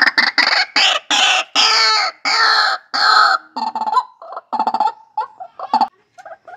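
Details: Loud calling of a captive-bred white-breasted waterhen. Very harsh, screeching blasts come first, then shorter nasal croaking notes that tail off into quieter clucks.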